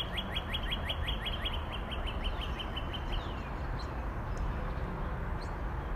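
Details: Northern cardinal singing a fast run of repeated slurred whistles for about three seconds, then a few longer downslurred whistles trailing off, with steady low rumbling noise underneath.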